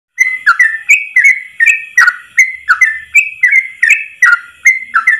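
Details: Yellow-vented bulbul tutoring recording of long rapid 'ropel' song in one breath: bubbly, liquid whistled phrases, each dipping then rising, repeated about two or three times a second, over a faint steady high tone.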